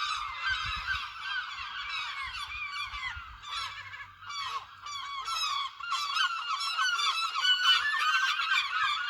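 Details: A flock of gulls in Lossie keeps up a busy clamour of short, harsh, yelping calls, many birds at once. It thins briefly near the middle, then swells louder and denser toward the end.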